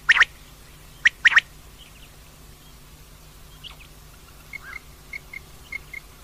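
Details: Female common quail giving a clipped three-note phrase, one sharp note then a rapid pair, followed by faint scattered chirps and soft distant notes over a low steady hum.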